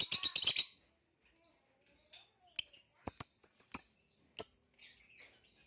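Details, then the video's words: Green hybrid male lovebird and Nyasa lovebird in captivity giving a quick chattering burst, a silence, then sparse sharp high chirps and short whistled notes. "Green Hybrid and Lilianae Nyasa Lovebird Singing & Chirping Sounds"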